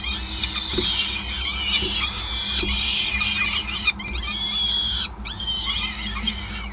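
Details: Peregrine falcons at a nest in Groningen on 5 May 2020, mid-feeding: a loud sustained chorus of shrill, wavering calls, one abrupt break near the end, low hum beneath.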